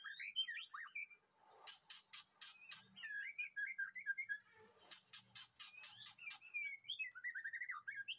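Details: White-rumped shama singing in a backyard aviary in the afternoon, used as master song for training: wavering whistled warbles interrupted by loud sharp clicking bursts, then more fluid looping whistles.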